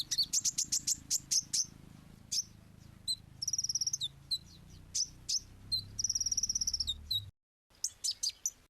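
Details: Sweet singing of a small sunbird called kolibri ninja: a quick run of sharp high notes, scattered chirps, two separate fast buzzy trills, then a short break and more high chirps.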